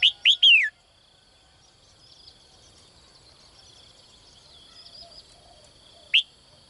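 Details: Female bird calling from a cage at dawn to lure a strong mate: a rapid three-note phrase of two upturned chirps and a falling slurred whistle, then quiet, then one more sharp rising chirp near the end.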